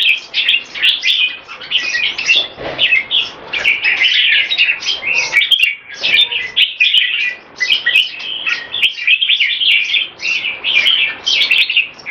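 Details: Caged red-whiskered bulbuls at competition level in an extended speed action display, pouring out rapid chirruping whistled phrases in waves, with frequent sharp ticking clicks.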